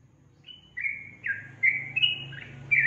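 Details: Yellow-vented bulbul giving a few clear, drawn-out whistled notes, some held flat and some dipping, with a steady low hum underneath.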